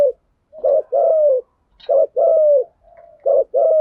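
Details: Spotted dove coos from a mixed male and female lure recording in thuc gu and gay goi styles: three quick phrases, each a clipped double note and then a drawn-out descending coo, with a faint low hum between.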